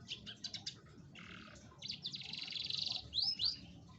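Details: Atlantic canary song played to lure a lazy canary into singing: rapid rolled trills and buzzy sustained blocks of high notes, then two quick rising-and-falling whistled sweeps near the end, with faint low background hum.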